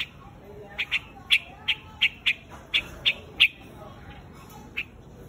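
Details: White-headed bird calling the flock with about ten clipped, sharp notes roughly every third of a second, then a pause and one last note.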